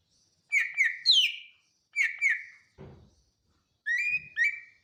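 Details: Greater green leafbird of Bornean, Sumatran or BWI origin giving clear whistled notes in short groups of two or three, each note falling then flattening, separated by brief silences, with a soft knock between phrases.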